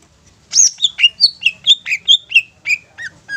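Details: Long-tailed shrike in the 'satu titik nagen tegak' style, a lure for young or wild shrikes: a series of about a dozen harsh, downward-sliding notes, roughly five per second, dropping gradually in pitch toward the end.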